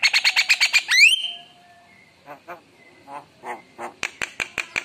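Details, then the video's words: Active, emotional Javan myna song with rich fill-in phrases: a burst of rapid harsh notes ends in a rising whistled sweep, then soft scattered chatter and a final row of sharp, evenly spaced clicks. "Spontan Emosi Suara Jalak Kebo Gacor Penuh Isian Mewah"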